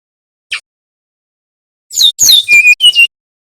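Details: Brown-chested jungle flycatcher of the Bali type in nyiul or nyuling song style, used as a lure so young birds learn to sing: one short high note, a pause, then quick chirps and clear whistled notes.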